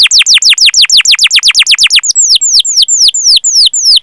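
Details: Canary master song with long 'cuit cuit' chirping: a rapid run of sharply downslurred notes for two seconds, then slower, clear, curving whistles at about four per second.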